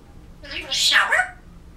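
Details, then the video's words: An African grey parrot kept as a pet, recorded November 2011 while practicing words, gives one brief, breathy, speech-like utterance with a falling tone, in an indoor room with low background hiss. "African Grey Parrot - Talking"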